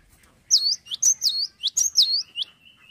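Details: Actively singing cinereous tit: crisp high note-pairs swooping down and up, repeated about five times in quick rhythm, ending on a faint level whistle.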